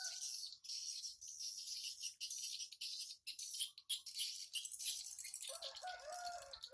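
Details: Many swiftlets flying in and out of a simple nest hut, 14 August 2018, 07:25 in the morning; a continuous shimmer of high rattling chirps, with a few short lower whistled notes near the end.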